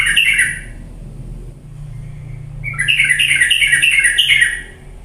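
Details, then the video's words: Lure song of a yellow-vented bulbul, used to push idle birds into lively singing: a short chattering burst, a quiet gap with soft chirps, then a dense two-second run of rapid, scratchy notes over a low hum. "pancingan trucuk yang malas jadi ikut bunyi gacor galak"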